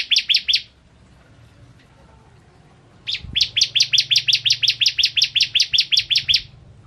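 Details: Bar-winged prinia, a caged crystal-type bird kept as a master tutor, gives two bursts of rapid, evenly spaced high chips, a short run of four, then after a pause a longer trill of about twenty notes.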